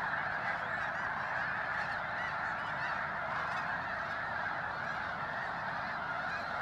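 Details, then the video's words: Freezing pre-dawn at Bosque del Apache, New Mexico: thousands of snow geese land among others resting before the final flyout. A loud, continuous blend of countless honks never pauses. "Snow Geese Surprise Pre-dawn Fly in!"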